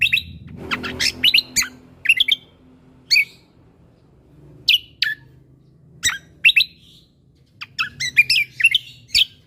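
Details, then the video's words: Lesser green leafbird, used as a master singer for teaching other cage birds, in a lively song of quick high chirps and slurred notes in short bursts with brief pauses between, over a faint low hum. "Cucak Kombo Gacor Mentalan Pas Untuk Masteran Burung Isian Tembakan"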